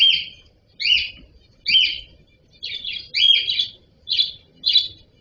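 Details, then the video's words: Cockatiel uttering clear, shrill, slightly rising chirps, one after another nearly every second, in an otherwise quiet setting. "Cocktail parrot voice"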